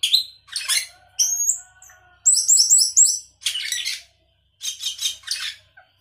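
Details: Sooty-headed bulbul in full chattering song packed with varied phrases: bright whistled notes, rising sweeps, then bursts of rapid buzzy trills and chips separated by short pauses.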